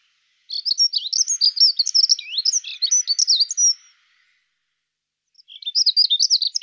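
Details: A male dunnock sings a fast, high, jingling warble lasting about three seconds, then starts another phrase after a short pause.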